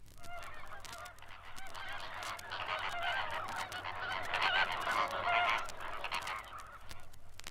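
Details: A colony of Greater Flamingos on a brackish Rift Valley lake in East Africa, including shrill-voiced grey young, gives overlapping goose-like honks and gabbling calls, several each second, swelling and fading without pause.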